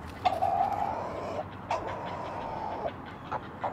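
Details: Great blue heron at a nest in a rookery of 10-12 nests high in loblolly pines, Maryland's Eastern Shore, Chesapeake Bay, early morning of 20 June 2018; two long, steady, nasal mid-pitched calls, each over a second, with short clicks and faint background hiss.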